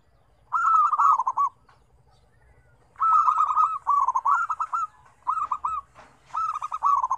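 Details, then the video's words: Zebra doves in a five-voice song combination with varied pitches: clear, trilling phrases of rapid staccato coos, repeated in bursts of about one to two seconds with quiet gaps between. "SUARA PERKUTUT RAME 5 KOMBINASI DENGAN NADA BERBEDA-BEDA"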